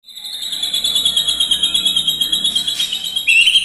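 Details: White-rumped shama singing with fill-in mimicry of lovebird, kapas tembak, cililin and fighting sparrow; clear, steady high whistled trill held for seconds, shifting higher near the end.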